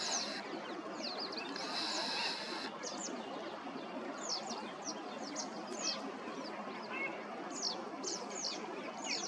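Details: Green-winged teals, males and females, calling: many short, high whistled notes, each sliding downward, repeated at irregular intervals over a steady hiss of background noise, with a brief broadband burst near the start.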